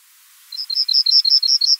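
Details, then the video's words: A male Yellowhammer sings in spring in Austrian farmland: a fast run of about a dozen high, thin, dry notes, roughly eight per second, cut off before the long final note. "dieser gesang wird von den goldammer männchen im frühjahr in der heimischen kulturlandschaft verbreitet vorgetragen"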